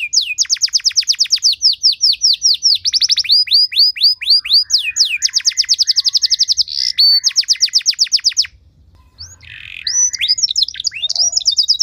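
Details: Canary singing an elaborate training song meant to provoke other canaries into song; long runs of fast repeated downslurred whistles, brief pause, then varied chirps and buzzy notes.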